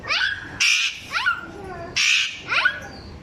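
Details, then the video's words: A parrot mimicking a small child: two grating squawks, each followed by a quick rising, stacked-harmonic call like a voiced syllable, with a faint low murmur beneath. "parrots speaking"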